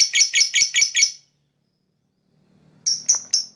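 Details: Lovebird chirping to attract other birds: a fast burst of five harsh, rasping chirps, a pause with faint low hum, then three clean high chirps.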